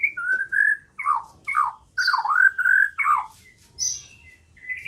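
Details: White-rumped shama song used as a lure to set birds singing. Soft mellow whistled phrases, some bending down and back up, are spaced about half a second apart and end with a thin rising note.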